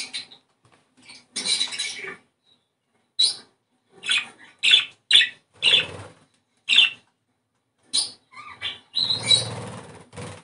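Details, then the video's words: Australian budgerigar singing to stimulate breeding, a run of short, scratchy chirps and squawks spaced irregularly over ten seconds, some doubled, ending in a longer, denser, rasping warble. "ESTIMULAR CELO !!! CANTO PERIQUITO AUSTRALIANO!!"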